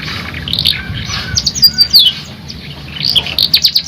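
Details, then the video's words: Canary singing in the energetic rolling, shooting style, with high bright chirps and quick downslurred notes, a brief pause, then a fast run of repeated sharp notes. "KENARI GACOR NGEROL NEMBAK | CANARY SINGING"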